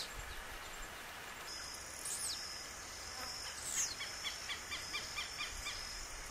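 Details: Blue-black grassquit (tiziu) in the wild, giving two thin, high, buzzy down-slurred notes over a constant high insect drone. Softer chirps from another bird are repeated in the background.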